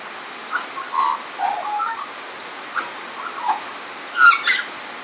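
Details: Australian magpie sheltering from rain under a tin carport roof sings soft, flutey warbling notes in short mid-pitched phrases, ending with a brighter, harsher burst, over a steady hiss of rain noise.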